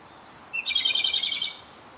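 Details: Japanese robin, a visitor that stayed six days at a birding spot, singing close by on its last day: a thin introductory whistle leading into a rapid, even, rattling trill lasting nearly a second.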